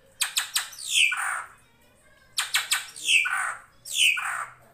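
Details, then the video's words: Drongo (srigunting krantil) in a master recording for training songbirds such as murai, cucak ijo, kacer and cendet, set against flowing water; quick triplets of sharp clicks, each followed by a harsh, buzzy squawk sliding downward, repeated. "MASTERAN SRIGUNTING KRANTIL FULL ISIN"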